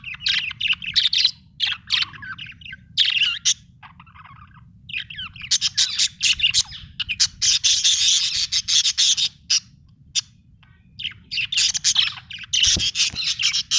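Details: Happy budgerigar chirping: a busy, nearly continuous stream of high, scratchy warbles and quick chirps, broken by brief pauses, over a faint low background hum.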